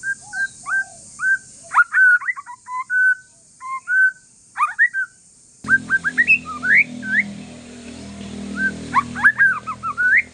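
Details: Calm song of a white-rumped shama from Aceh forest stock, used to provoke other shamas into singing: varied clear whistles and quick upslurs, a low hum entering partway through.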